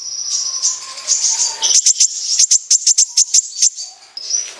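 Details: Kolibri ninja sunbird in 'besetan' song, used to lure sunbirds into singing: soft, high wavering trills with a faint lower whistle, then a run of about a dozen sharp, very high ticks.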